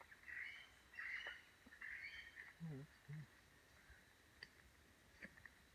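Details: A band-tailed manakin at its lek in Atlantic forest near Iguazu Falls, northeast Argentina, gives harsh, nasal notes in a quick string over two seconds, then two low dull thumps and faint clicks against forest hum.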